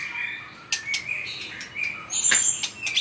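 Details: White-rumped shama in competitive fighting song with strong tail-flicking: soft, fairly faint whistled phrases at varying pitches, a few dry clicks, and a thin, very high whistle near the end.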